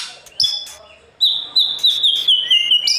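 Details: White-rumped shama sings in the morning to coach a young bird for competition: one long, slightly wavering high whistle held for nearly two seconds, punctuated by dry clicks, after a brief opening note.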